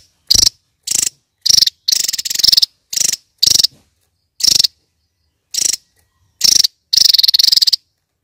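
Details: Kingfisher uttering loud, grating pulsed bursts, some short and some drawn out to nearly half a second, spaced irregularly with gaps of silence between them.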